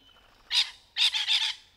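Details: Rainbow lorikeets in trees with courtship and mating call behaviour: one harsh, grating screech followed after a short pause by a longer rasping burst of linked shrieks, loud and broadband.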